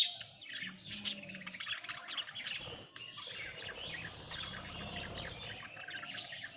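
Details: Home-kept budgerigars in a dense, steady chorus of overlapping warbles and chirps, with no clear pauses.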